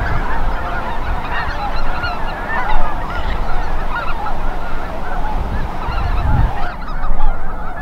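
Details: Enormous goose flock on migration in western Minnesota, chiefly Snow Geese with Greater White-fronted, Ross's, Canada and Cackling Geese. Loud, busy honking and yelping from countless birds at once, with bursts of wind buffeting throughout.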